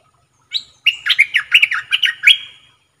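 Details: Caged red-whiskered bulbul used as a decoy bird gives one bright, bubbly phrase: a short opening note, then about eight quick warbled, liquid notes in a lively run that ends on a rising whistle. The background is quiet.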